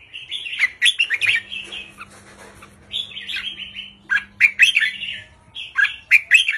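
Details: Red-whiskered bulbul in a cage singing short counting-style 3-4-5 phrases used to rouse other caged birds: rich, liquid warbled notes in quick clusters separated by brief pauses, over a faint low hum.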